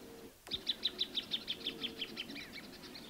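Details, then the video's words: Plain thornbird singing a short series of about a dozen clear, high, evenly spaced notes that gradually slow and fade toward the end. "Kicauan Burung Plain Thornbird"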